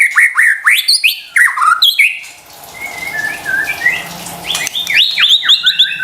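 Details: White-rumped shama song used to lure stressed birds into responding: quick sliding whistles and chatters, a softer pause with faint whistled notes, then a fresh burst of bright, rapid phrases.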